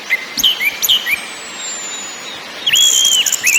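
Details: Orange-headed thrush (anis merah) song with ngakrak, ngeplong and nyiul styles: clear whistled notes sliding up and down, a long thin falling whistle, then a burst of high chatter and more whistles.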